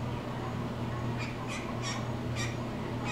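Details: Male blue jay that seems to talk toward the camera, giving five harsh, raspy squawks in quick succession over about two seconds, each a short noisy burst, over a steady low electrical hum.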